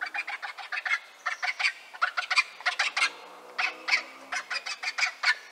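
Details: Loud, close Griffon vulture (Gyps fulvus) calls: rasping, gobbling cackles in fast bursts of several pulses each, separated by brief gaps, steady and harsh across the whole stretch.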